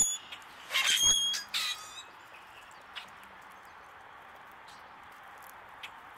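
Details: A male common grackle calling while feeding gives two harsh, squeaky, creaking bursts with a thin high whistle early on, followed by quiet with a few faint clicks.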